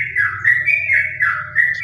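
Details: Yellow-vented Bulbul singing around 11 a.m. on an overcast, cool day pours out a fast, unbroken run of bubbling, slurred notes at a fairly high pitch, answered by another bird behind, over a steady low hum.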